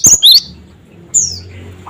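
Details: Gelatik batu, a cinereous tit, calling 'cret cret wucit' as a lure for other birds: two piercing high whistled notes in quick succession, a pause, then one longer downslurred whistle.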